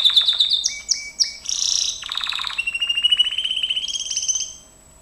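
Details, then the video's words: Gloster canary training song opening with quick sharp chips and whistles, moving into a harsh buzz and then long, steadily pulsed rolling trills that fade out. "GLOSTER CANARY SINGING Spectacular Beautiful training"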